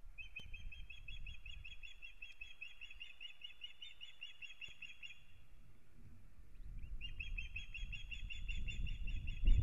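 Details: Osprey pair in Kurzeme, Latvia, starting a new breeding season on 9 April 2022, giving a long run of shrill, whistled cheeps, about five a second, that pauses briefly and resumes, over low wind rumble.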